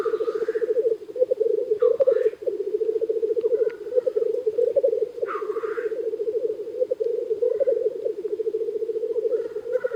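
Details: Chorus of many black grouse cocks lekking by a hide in early spring; steady overlapping bubbling trills run throughout, with loud wheezy hisses every few seconds.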